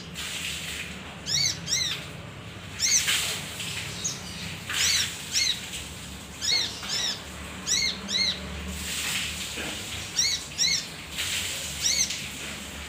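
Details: Male kinoi (leafbird) used as a lure for other birds, giving quick clusters of rising, slurred high notes in short bursts with a few seconds between groups, over a soft background hiss.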